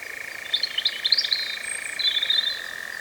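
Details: Continuous dry, rattling churr of a European Nightjar in Cefn Ddu forestry, North Wales, UK, its first recording of 2026 on a drop-rigged Zoom F3, with high twittering notes from another bird over the top.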